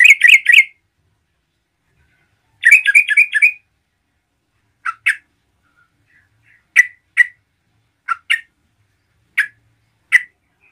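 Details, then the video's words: Singing yellow-vented bulbul, gacor style, meant to rile rival bulbuls: two short bursts of harsh chattering notes, followed by single sharp chips spaced about a second apart. "MERBAH CEROCOK GACOR GARUDA AMPUH UNTUK MENDRONGKRAK EMOSI TRUCUKAN LAIN"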